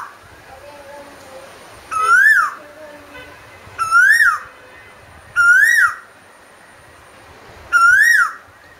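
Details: Asian koel singing insistently: four loud, ringing whistles that climb and then fall, repeated roughly every one and a half to two seconds.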